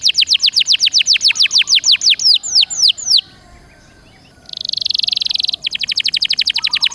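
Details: Canary (Serinus canaria) singing as a prompt for caged canaries: a long series of rapid down-swept whistles, a pause, then a buzzy trill and a fast repeated chipping run.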